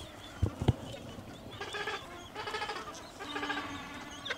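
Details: A gentoo penguin at Orne Harbor gives a harsh, bleating bray in three pulsing bursts, each about half a second long. Two dull knocks come just before it.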